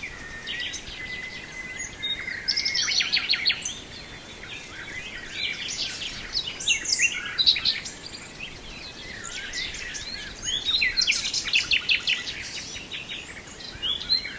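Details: Nightingale singing in Brijeste: a steady drawn-out whistle opens, then varied phrases of rapid high chirps, trills and clicking notes come in bursts with short pauses between them, over a faint background hiss.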